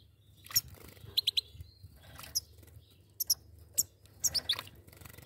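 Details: Two goldfinches together, producing quick high tinkling chirps in clusters of two or three, with brief pauses between bursts; a constant low electrical hum runs underneath.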